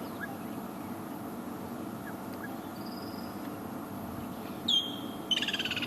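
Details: On a sunset drive on 23 December, a distant Woodland Kingfisher gives a sharp high note followed by a fast, rattling trill, over a steady low rumble of background noise.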